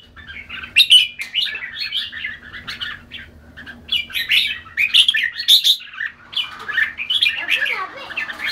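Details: Song of a red-whiskered bulbul, a continuous chatter of warbles and sharp chirps, with a lower slurred voice joining near the end and a steady background hum.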